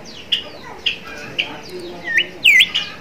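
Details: Bimoli song used to prompt young bimoli learning to sing: separate short, bright, whistled notes spaced about half a second apart, ending in a louder rising-and-falling swoop.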